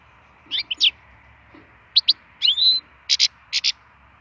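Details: Wild European goldfinch, recorded for song stimulation, giving scattered sharp chirps and short twittering phrases with a brief buzzy slur, separated by short pauses.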